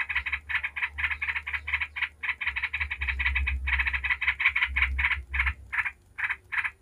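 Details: Yellow-vented bulbul in the rapid 'ngebren' singing style, used as a lure to make other bulbuls sing: fast runs of harsh, buzzy chattering notes, about three a second, in bursts with short gaps, over a low hum.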